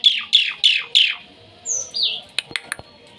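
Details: Starling (jalak) near a house: four loud high downslurred notes, then two clear whistles, one falling and one rising, followed by sharp clicks.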